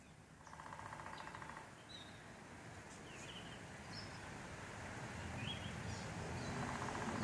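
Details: Woodpecker in a backyard, heard over a steady low rumble of traffic. A fast, evenly pulsed rattle lasts about a second early on and starts again at the end, with a few faint high chirps from other birds.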